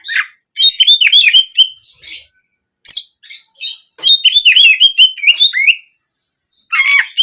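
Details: Oriental magpie-robin, locally kacer, giving 'nembak kenari' canary-like song used as singing therapy for daily and contest birds. Choppy bursts of quick high slurred notes alternate with short silent gaps.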